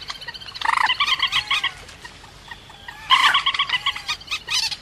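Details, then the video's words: Rail call for luring birds to traps: a dense burst of rapid harsh notes, a quieter stretch of faint upslurred whistles, then another loud stuttering burst. "Tiếng cuốc biển chuẩn"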